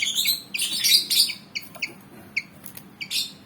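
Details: ['Aggressive Malaysian pied fantail, a black-and-white bird, opening with loud harsh chattering bursts, then a few isolated clipped chirps separated by short pauses.']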